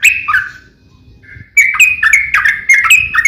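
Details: Short burst of Yellow-vented bulbul fighting song, used as a lure to provoke other bulbuls. A few gurgling notes are followed by a quiet gap and a faint thin note, then a renewed rapid run of liquid chatter.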